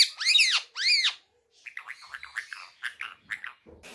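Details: Pet rose-ringed parakeet kept indoors, talking and repeating the phrase "Miyan Mitthu Churri Khani Hai": two loud harsh arched squawks, then a quick string of raspy, speech-like syllables.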